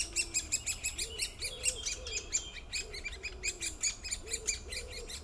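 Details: Great spotted woodpecker giving rapid, sharp, high 'kik' notes in an uneven series. Soft, low, curved hooting notes from another bird repeat underneath.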